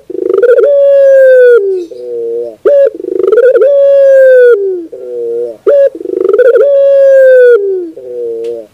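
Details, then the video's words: Barbary dove cooing as a training recording for birds: a rolling purr rising into a long sustained hoot followed by a wavering lower coo, the phrase repeated about every three seconds. "Masteran terbaik Burung Puter 2021"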